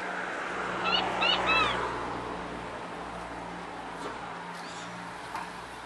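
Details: Mixed aviary of zebra, Gouldian, star and long-tailed finches with canaries, king quail and diamond doves: three quick nasal, tinny calls in a row early on, then faint distant chirps over low hum.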